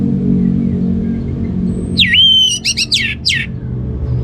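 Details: One short burst of orange-headed thrush ngeplong song: a swooping whistle that levels into a clear held tone, followed by several rapid, descending slurred notes, set against a continuous low rumbling background.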